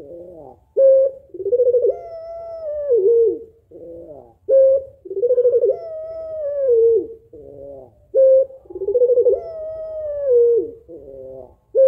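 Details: Spotted dove female calling so a lazy male will coo; three even rounds of low, mellow cooing, each a short steady note, then a quavering rolling phrase with a falling end, spaced about every four seconds.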